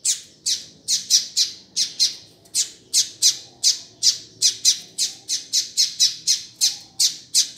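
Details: Double-collared seedeater (coleiro) calling, a call used to warm up, excite and teach a male coleiro or papacapim: sharp, high squeaky notes repeated about three times per second, roughly twenty-two in a row, in a small indoor room.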